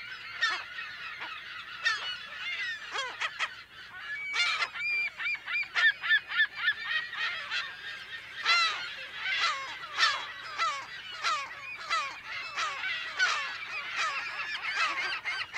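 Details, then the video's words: California gulls calling in a colony, recorded close to medium-close in mono: a dense, continuous chorus of harsh, nasal honking calls from many birds, overlapping constantly, with bursts of rapidly repeated notes and a few louder cries rising above the din. "California Gull / CU - MP Calls In Colony"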